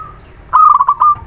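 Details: Zebra dove from the Muria area, used to coax silent birds into singing: after a soft level tone comes one loud phrase of fast, bubbling staccato notes that ends in a short held note.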